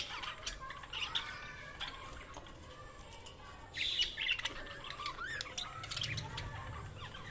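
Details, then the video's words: Budgies chirping: a busy warbling chatter of short mid-to-high chirps and squeaky twitters, louder near the middle, over a steady background hiss and low rumble. "Budgies Chirping sound"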